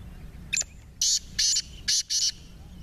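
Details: Partridge, a bird said to give 28 calls, recorded in Saraiki country context of partridge fighting: four harsh, noisy, buzzy bursts in quick succession, each short and flat, after a brief single note, over faint low background rumble.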